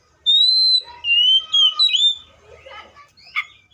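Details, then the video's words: Seychelles magpie-robin: a long pure whistle, then shorter sliding notes, fading into softer chattering sounds and one last brief note. "COPSYCHUS SECHELLARUM BIRDS SOUNDS LIKE IN NATURE LOUD CLEAR SOUNDS"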